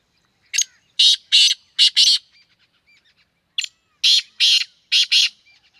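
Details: Black francolin call from Sindh, Pakistan: two runs of loud, harsh, rasping notes, grouped in rhythmic twos and threes, separated by a brief pause.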